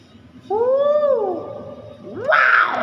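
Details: Common hill myna, described as actively vocal, gives a rising-then-falling whistled note with clear overtones, followed by a harsher, noisier burst sliding upward. Background hum throughout.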